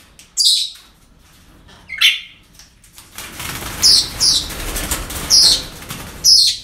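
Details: Parrots at a breeding centre on an ordinary day give short, harsh, high screeches, six bursts spaced irregularly over several seconds, over a steady rushing background noise.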